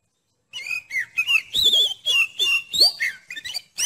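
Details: Oriental magpie-robin song, steady and chattering, played to test the nerve of another magpie-robin: a fast run of varied whistled phrases, slurred notes and sharp chirps, about three a second, with short gaps between them.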